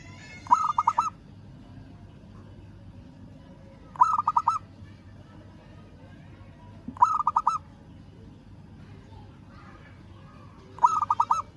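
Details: Local zebra dove calling a rival: four separate phrases, roughly every three to four seconds, each a quick run of five or six short, rolling coo notes at mid pitch, with a low steady background hum.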